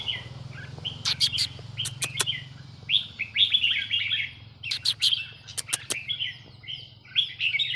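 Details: Red-whiskered bulbul from Burma, counting-flower song style: continuous bright chattering and warbled high phrases, interrupted by repeated sharp clicking taps, over a steady low hum.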